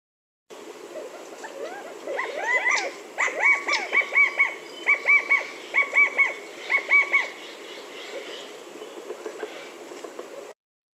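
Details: California Quail, common in parks around Reno in northern Nevada, gives its loud three-note 'chi-CA-go' call, a repeated phrase with the middle note highest, about once a second, while other birds chatter softly.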